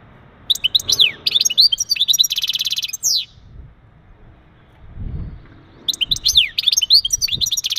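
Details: Male European goldfinch delivering mating calls to prepare a female for breeding; two bouts of fast, high twittering with buzzy trills and a dropping slurred note, separated by a pause with a low thump.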